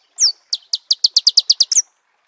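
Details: Marico sunbird recorded in natural habitat: a sharp high chirp, then a fast run of about ten bright, clipped notes that quicken and end on a final high chirp, with a quiet background.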